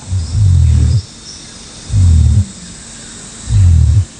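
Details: A father southern cassowary in Australian coastal rainforest roars to warn his three five-month-old chicks of a nearby monitor lizard, giving three deep, booming rumbles about half a second long, spaced about 1.5 seconds apart, over faint hiss.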